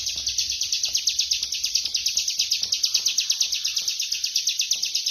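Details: Continuous ngebren singing from a bar-winged prinia: shrill, very fast notes run together into a steady trill, pulsing in volume about three times each second without a break.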